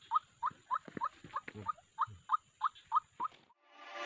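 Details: White-breasted waterhen, known locally as ruak-ruak, called as a trapping lure. Eleven short, hoarse, rising notes come about three per second, with soft rustling thumps between them. A burst of broadband noise follows at the end.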